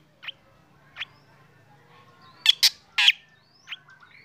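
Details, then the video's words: Black drongo singing in the morning while set out in the sun, its song prompting other birds to join: a few sharp, harsh notes, with a close pair of loud explosive bursts and fainter chirps from other birds. "KICAUAN SRIGUNTING HITAM PAGI HARI SAAT DI JEMUR BIKIN BURUNG LAIN IKUT BUNYI"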